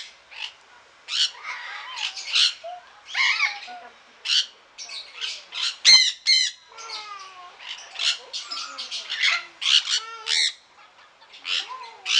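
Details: Sun conures in a garden aviary in Pelhřimov, Czech Republic, on 18 August 2017, squawking in a harsh, high, rasping barrage of two or three bursts per second, with a few thin whistles and lower chattering notes.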